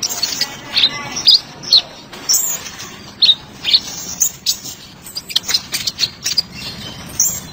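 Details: Song of a sunbird called kolibri ninja, recorded as training material for caged songbirds: bright, piercing chirps about twice a second at uneven intervals, some doubled, against soft hiss.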